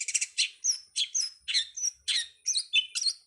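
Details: Long-tailed shrike (cowet) songbird-training master, 'ala anak rimba': a rapid, varied chatter of high chirps, squeaks and short whistles, tumbling almost without break.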